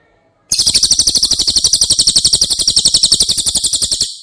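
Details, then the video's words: Cililin singing one sustained, very fast, high buzzing trill of regularly pulsed notes lasting about three and a half seconds. It serves as training material for caged White-rumped shama. "Masteran CILILIN Materi Wajib untuk Burung Murai Batu anda!!"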